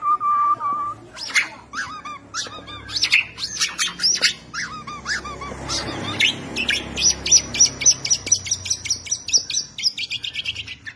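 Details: White-rumped shama (Copsychus malabaricus), Borneo type, singing a rich, fast medley: a pure opening whistle, then varied sweeping notes and rapid high trills, several phrases per second.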